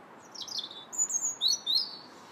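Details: Robin singing in January, a clear high warbling phrase of thin whistled notes and quick slides, some notes rising and falling sharply, delivered in a fast run over quiet background hiss.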